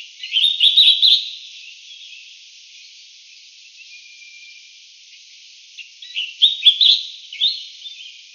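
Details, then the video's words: Collared finchbill, subspecies Spizixos semitorques cinereicapillus, of southern China, Southeast Asia and Taiwan: two bursts of quick chirpy notes about six seconds apart, each a cluster of short bright slurred phrases, with quiet hiss between. "白環鸚嘴鵯/Collared Finchbill"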